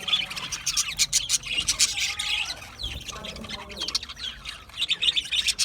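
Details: Australian budgies chirping in a group: dense overlapping chatter of squeaky chirps and warbles, with sharp clicks and irregular bursts continuing throughout.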